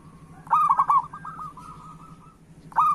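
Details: A local zebra dove sings to encourage other doves. A loud, quick stuttering coo flows into a long, fading run of soft, even notes, and a new loud phrase begins at the end.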